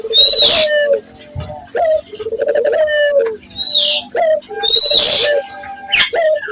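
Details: Local Barbary dove cooing energetically, used as a lure for training other doves: low rolling coos with a rising start, mixed with loud high chirps and whistles from other small birds.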